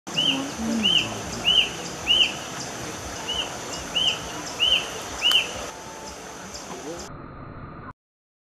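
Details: A Sulawesi brush cuckoo (Rusty-breasted Cuckoo) in loud, non-stop song gives a series of short, clear, arched whistles, about two per second, over a steady background hiss.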